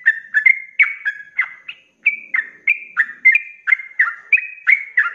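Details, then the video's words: Sooty-headed bulbul in lively 'ropelan' song, meant for tutoring cage birds: quick, mellow whistled phrases that flick up and down, repeated two to three times a second, with a brief gap near the middle. "SUARA ROPELAN BURUNG TRUCUK GACOR||COCOK BUAT MASTERAN"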